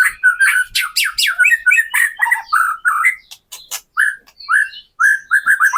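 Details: White-rumped shama song used to provoke captive birds into singing, emotion and full repertoire: rapid varied phrases of loud whistles, harsh squawks and buzzy notes mixed with sharp high chips, delivered in quick bursts with brief pauses.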